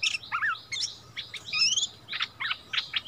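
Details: Bulbul, a decoy bird brought back to its old territory, duelling in song with a new resident territory holder on 3 February 2021; bright whistled phrases mixing rising and falling slurs with quick chirpy notes, separated by brief pauses.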